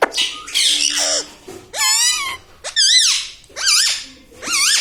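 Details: Pet green ring-necked parrot indoors in a small room, mimicking words such as mithu and mummy, papa: a run of loud, wavering, high harmonic calls with rising-falling pitch, one every second or so, some harsher squeaky bursts at the start.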